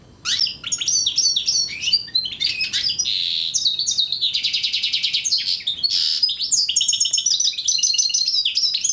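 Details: Goldfinch mule hybrid from Algeria pours out a lively high-pitched song of chattering notes, a long buzzing trill and quick whistled slurs, steady and unbroken.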